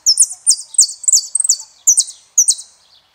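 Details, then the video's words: Saffron finch singing bright, high chirping notes in quick clusters, each slurring downward, about twice a second against a quiet background. "JILGUERO ARGENTINO"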